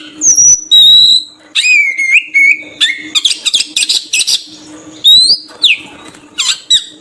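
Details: Lure song of an oriental magpie-robin for attracting birds: clear sweeping whistles, a run of rapid buzzy harsh notes in the middle, then more rising and falling whistled phrases, loud and close, with a faint low steady hum in the background.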